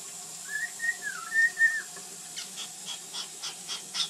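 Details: Pet bird, recorded in 2010, singing and making funny noises: a few whistled, gliding notes, some rising and some falling, then a run of quick clicking ticks, about four per second, with a faint steady hum behind.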